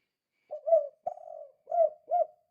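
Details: Chatty spotted dove in 'kuk 2' style, a call used to lure doves: one phrase of four low coos, the second long and wavering, the last two short and rounded; background otherwise silent.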